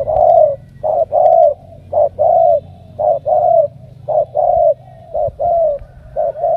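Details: Selected 'đồng' spotted dove of Ca Mau producing a continuous run of low coos, short notes each leading into a longer slurred one, about eight phrases, with a faint clicking sound early on.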